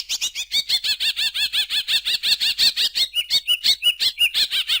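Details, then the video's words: Greater green leafbird song: a fast run of about twenty-five bright, evenly repeated chirping notes, nearly three per second, shifting near the end into lower slurred whistles. "suara burung cucak ijo"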